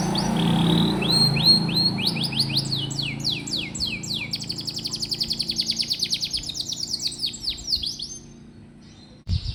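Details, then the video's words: Canary song used to spur young birds: rising chirps build into a long rapid trill of repeated downward notes, with a low hum underneath at first and a sudden knock at the end. "Suara burung kenari bikin hati senang, dan masteran burung kenari muda dan jarang bunyi"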